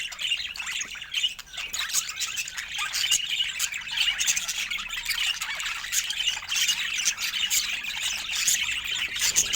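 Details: Budgerigars, kept as pets, in continuous busy chatter: many overlapping warbles, squeaks and sharp chirps from several birds at once, with no pause throughout.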